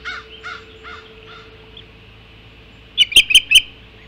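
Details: Osprey calling at the nest on Hog Island as food arrives, 05:20 on 7 July 2016. Hoarse, rising chirps repeat about every half second, then four loud, piercing, whistled cries follow in quick succession.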